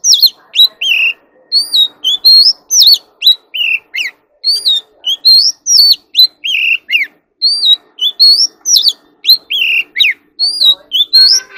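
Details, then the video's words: Magpie robin trained for competitive singing, caged: long continuous bout of bright whistled and slurred notes, rapid and varied, repeating phrase groups, with a faint low clatter behind. "Chò than luyện giọng || choè than hót đấu"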